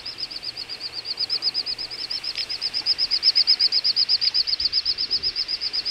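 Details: From a wintering flock of little bustards, Ag-Gol National Park, Azerbaijan, November 2014: a fast, regular string of bright, high pulsed whistles, roughly four a second, swelling louder toward the middle.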